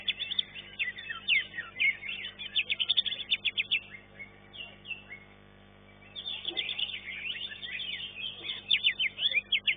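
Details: Green leafbird singing during a contest and finishing third; sequences of rapid staccato chirps and whistles, pausing for about two seconds mid-way, then resuming with dense chatter.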